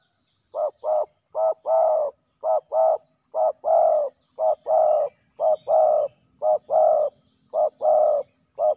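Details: Fighting male spotted doves during ground decoy trapping give a long run of loud, grainy coos, short then long, repeated roughly once a second and fairly regular.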